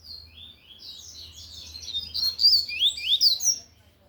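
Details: Double-collared seedeater singing loudly in the Tui Tui song style: a dense, rapid run of high buzzy slurred notes and sweeping whistles, growing louder toward the middle before stopping, with a low hum underneath.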